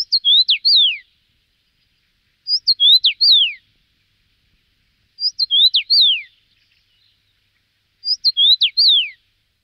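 A common rosefinch repeats a short, clear whistled phrase of four or five slurred notes, about every three seconds, with silence between.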